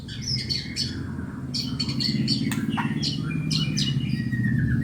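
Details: White-rumped shama, a contest-ready bird singing vigorously, gives scattered high whistles and short rising and falling notes over a steady low rumble and hum that dominate the background.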